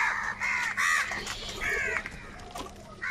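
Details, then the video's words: Loud harsh caws from crows fighting for food, nasal arched calls tumbling one after another, a few birds overlapping. "Crow fight scene - Crow bird Fight for Food | very loud voice of crow sound"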